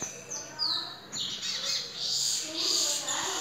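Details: Master-singer lesser goldfinch at home giving high, thin whistled slurs that run into a continuous twittering warble, with faint indoor background noise.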